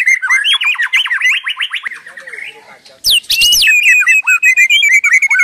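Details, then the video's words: White-rumped shama pouring out song, a quick series of repeated swooping whistles, a short soft lull, then a harsh burst followed by clear descending and level whistles. "Suara Burung Murai tiada henti"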